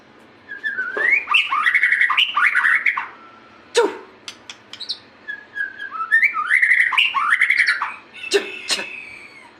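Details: White-rumped shama singing in full voice: two long phrases of mellow, warbling whistles that rise and fall, separated by a sharp click and scattered ticking notes.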